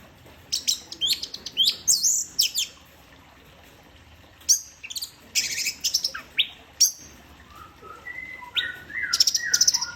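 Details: Orange-headed thrush song in the 'teler' style, a varied run of sharp, high chirps and quick slurred notes in uneven bursts, closing with lower whistled phrases and piercing high notes.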